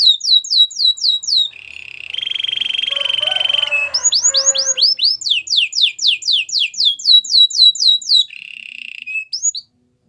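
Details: White canary singing a varied phrase: quick descending whistles, a sustained buzzy trill, more bright falling notes repeated about four per second, and a short trill again at the end.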